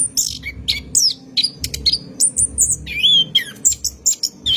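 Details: A night lure recording of an orange-headed thrush for cage-bird training: piercing high chips and whistles, a wavering warbled phrase, and rapid twitters above a low background rumble.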